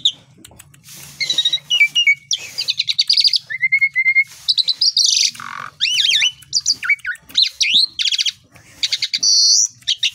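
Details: Asian pied starling singing in the morning, played to prompt other birds into lively song: a rich, varied run of loud whistles, chattering bursts, rising and falling slurred notes and buzzy trills, all delivered almost without a pause.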